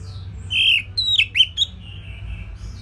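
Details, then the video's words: Orange-headed thrush, a simple song meant as a tutor recording for songbirds to copy: a sustained whistled note, then several sharp rising and falling whistles with short pauses, over a low background hum. "Kicauan Simpel ANIS MERAH Gampang Untuk Ditiru Sebagai Masteran"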